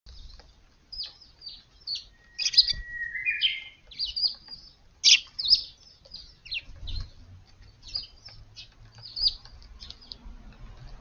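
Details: Wild sparrows visiting a garden near a small woodland in Japan in the early morning on 6 April: many short high chirps in loose irregular series, with a drawn-out whistled note from another bird partway through.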